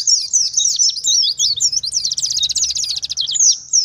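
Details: Wild-style oriental white-eye song used as a lure: tumbling high-pitched slurred chirps, then a fast, even rattling trill lasting over a second, ending with a few more sharp chirps.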